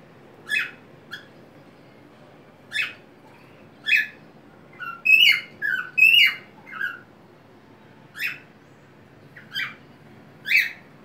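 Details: Pet white-faced cockatiel singing happily on a homemade swing inside a small crate, rocking back and forth with wings open and head tilting; short harmonic chirps and squawky whistles in scattered bursts, a quick run of notes midway, in a quiet room.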